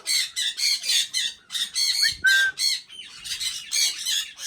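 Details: Pet Indian ringneck parakeet chattering continuously in rapid harsh, speech-like syllables with one brief clear whistle in the middle, loud and close.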